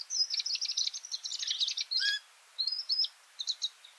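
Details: A feeding party of Varied Sittellas chatters in a rapid run of thin, high chips and twitters, with a brief pause before more scattered high notes; a nearby Singing Honeyeater and Brown-headed Honeyeater may also call.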